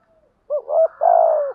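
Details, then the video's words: Spotted dove used as a decoy to provoke other doves: a faint soft note, then a two-part coo, a short rising-falling note followed by a longer, drawn-out falling coo, clean with no other sounds. "Tiếng chim cu gáy gù thúc bài bản, tiếng chim cu gáy kích bổi và tập mồi nghe rất xiêng gáy"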